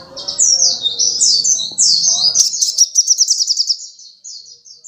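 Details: Little spiderhunter singing energetically: varied high, sweeping whistled phrases give way to a rapid, evenly pulsed high trill, with faint low murmuring early on.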